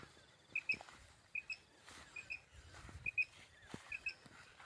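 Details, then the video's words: Common quail calling in a hunting setting: short, sharp, high paired notes, two quick chirps repeated roughly every 0.8 seconds, with faint clicks and rustling in between. "batair ki awaz batair Madi ki awaz"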